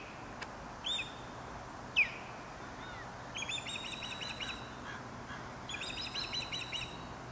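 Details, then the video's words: Osprey preparing its nest in Dartmouth, Nova Scotia: two sharp single whistled chirps, then two bursts of rapid, high, slightly buzzy chirps strung together, each lasting over a second, with faint hiss behind. "Osprey Calling"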